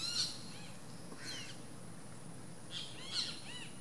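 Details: Least grebe at its nest giving a few short, arched, squeaky notes in two loose bursts about three seconds apart, over a steady background hiss with a faint high whine.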